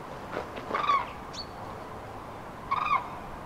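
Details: Passing flocks of common cranes on prenuptial migration at the meeting point of departments 19, 24 and 87, central France, March 2016, in bad weather: two distant, rolling trumpet calls about two seconds apart, with a faint whistle between.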